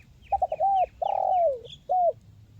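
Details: Spotted dove in a crisp 'mersik' voice, played to stir silent birds into song. Quick staccato notes and a level coo lead into a long coo that drops in pitch, ending on a short coo. Faint high chirps sound behind it.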